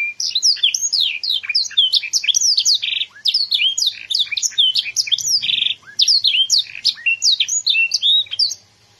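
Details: Canary singing a rapid, continuous string of high chirps, trills and whistled notes in long phrases broken by two brief pauses, with a quiet background.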